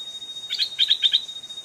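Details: Decoy stripe-throated bulbul in a cage, drawing a fierce old wild bird to the trap twice: short run of clear, rapid chirped double notes, bubbling and evenly spaced, against constant high-pitched background hiss.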